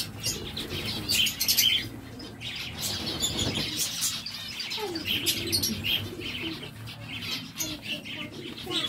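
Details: Captive zebra finches give rapid, high, twittering and nasal beeping notes in an ongoing flock chatter, with faint wing flutters and low background hum.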